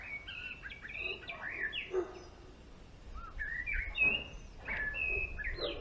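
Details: Male European greenfinch in a garden set up to attract birds, singing a string of short whistled and twanging notes, some rising and some falling, in bursts with brief pauses, with a faint low background hum.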